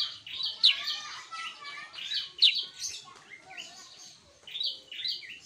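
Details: Sooty-headed bulbul singing energetically: bright, varied chirping phrases with quick sharp upward notes and short warbled bursts in a busy, irregular stream, little else audible.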